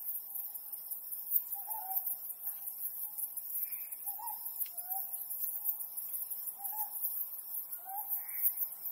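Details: A Ryukyu scops owl at night under the harvest moon gives short, hoarse, inflected hoots, one every second or two, over a steady high hiss of night insects.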